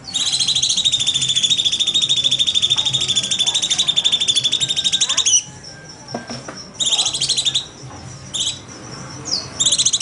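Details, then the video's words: Cucak cungkok bulbul singing in the 'nembak' style, used as a master recording for training birds: long, loud, buzzy rapid trill held for about five seconds, then shorter trilled bursts separated by pauses with faint clicks. "Suara Cucak Cungko Nembak Masteran Burung Terbaik"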